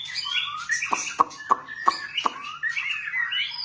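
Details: White-rumped shama (murai ekor panjang) singing varied warbled phrases over about four seconds, with several sharp loud clicks or taps spaced regularly through the middle and a faint steady low hum throughout.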